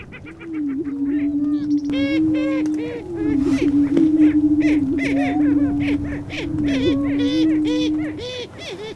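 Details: Lesser prairie chickens booming on a lek in Kansas's Flint Hills, males displaying and confronting to attract a hen: a steady, hollow, moaning hum overlaid by many sharp cackles, clucks and squeaky whoops from several birds.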